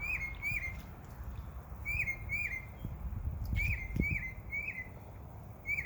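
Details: Backyard birds in summer chirping: short bright downward-slurred chirps in pairs and threes, with faint higher notes above, against a steady low rumble of wind or distant traffic.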